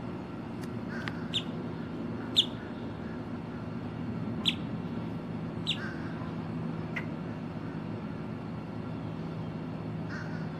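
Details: A female boat-tailed grackle singing in October 2023 gives sharp, dry chuck notes, spaced irregularly about a second or more apart, over a steady low rumble like distant traffic.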